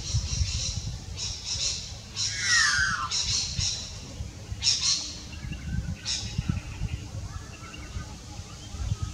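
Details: Rare white magpie visiting: short harsh high chattering bursts in groups, one with a descending buzzy slur, over constant low rumbling background noise.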